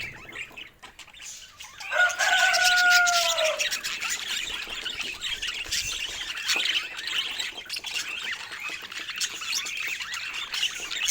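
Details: Budgie chatter: a busy stream of high chirps, with two smooth falling whistled tones in the first seconds.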